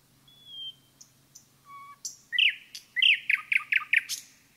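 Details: Common nightingale in a forest singing a phrase of a soft long whistle, low level notes, then a quick series of loud chirping notes with lower notes between them, ending in a high burst.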